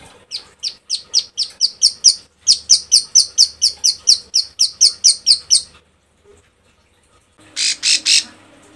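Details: Female bar-winged prinia in breeding condition calling to males: a fast run of about twenty sharp, high chip notes, evenly repeated for six seconds, then a pause and three harsh buzzy rasps.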